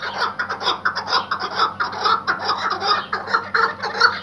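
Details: Iraqi white hunting partridge giving a fast, laughing run of rasping chuk notes, around two per second, loud and slightly irregular in rhythm.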